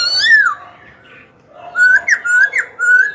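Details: Caged young Black-throated laughingthrush singing to stir rivals into contest and coach young birds. A clear falling whistle opens, then after a pause comes a run of short, ringing whistled slurs.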